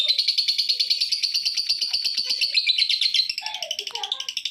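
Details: Lovebird chattering to draw other lovebirds into calling: a dense, shrill run of rapid pulsed notes that stays high and loud for about three seconds, then softens into quicker, thinner pulses with a few lower squeaks.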